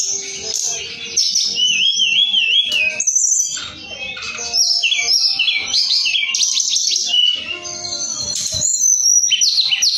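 A sooty-headed bulbul sings a continuous, busy stream of bright whistles, trills and warbled notes, high-pitched and varied, with little pause between phrases.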